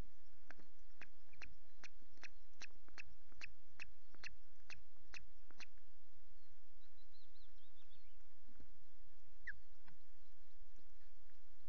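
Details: Osprey at a nest at Loch Garten on 5 July, with a female, chicks and sticks, and a male bringing two fish, filmed by nest camera. A series of sharp, high call notes repeats about twice a second over a low hum, then a faint high squeal.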